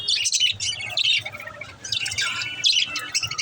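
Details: Budgie chirping used to get lonely budgies chirping; busy high warbling chatter with squeaky notes in two bursts separated by a short dip.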